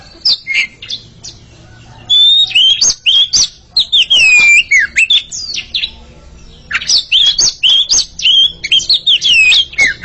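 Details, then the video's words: Pair of Oriental magpie-robins singing against each other in two long bouts of rich, varied whistles, rising and falling slurs mixed with high chattering notes, separated by a brief pause. "Sepasang kacer sedang beradu kicauan"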